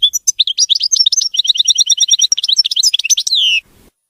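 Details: European goldfinch song, clean and free of errors: a continuous three-and-a-half-second, rapid, liquid twitter of high repeated notes and trills that ends in a drawn-out, descending buzzy note.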